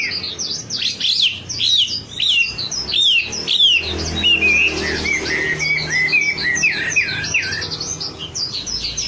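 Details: Wambi lure song for prompting cage birds to sing: bright, busy twittering with sharp high chirps, then a run of clearer whistled slurs in the middle, a faint low hum behind.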